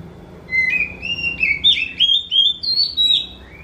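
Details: Oriental magpie-robin singing a varied phrase of clear whistled notes, some slurred and rising, delivered in quick bursts of roughly eight notes over three seconds, likened to a kitten meowing.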